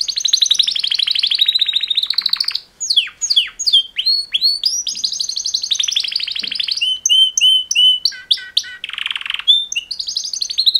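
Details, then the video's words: Mating song of two male canaries: extended rapid trills broken by sweeping down-slurred whistles, steady repeated notes and a brief buzzy rattle near the end. "Super Two Males Canary Mating Call Songs"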